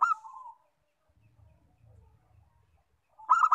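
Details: Local zebra dove, used to get other birds calling, gives a short soft coo. After a quiet pause, a quick run of clipped, pulsed cooing notes follows.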